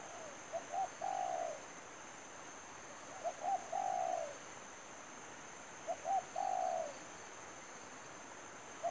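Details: Spotted dove serving as a trapping lure, repeating three soft coo phrases roughly every two and a half seconds, each a quick double note then a long gently descending coo; steady high hum throughout.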